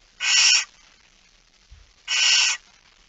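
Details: Barn owl holding a mouse, early morning of 17 September 2019 at 06:11: two long, noisy hissed screeches about 1.5 seconds apart with a faint low bump between them.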